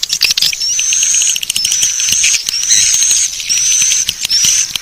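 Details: Swiftlet lure call, Bangkit 18 style, for attracting swiftlets: a high, thin rising whistle repeated about once a second over a soft bed of fast twittering chirps.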